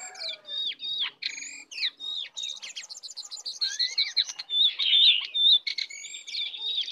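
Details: A wild lesser shortwing (cingcoang coklat) approaching aggressively delivers fast, high, sweeping whistles and trilled buzzes in an unbroken babbling stream, with a bright squeaky burst toward the end.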